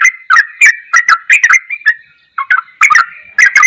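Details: Sooty-headed bulbul tutor song, ropelan goklikan style: quick runs of bubbly, warbled notes, a brief pause midway, then further chattering bursts.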